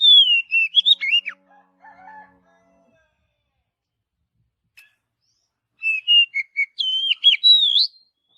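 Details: Oriental magpie-robin in a forest giving two bursts of rich whistled song, with sliding and warbling notes separated by a few seconds of near silence and a soft low phrase between them.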